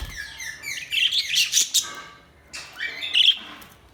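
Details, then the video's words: Budgerigars chirping: busy, high warbling chatter with rapid repeated chirps and rising slurs, bursts coming and going. "Budgies Sounds| Budgies Chirping sound"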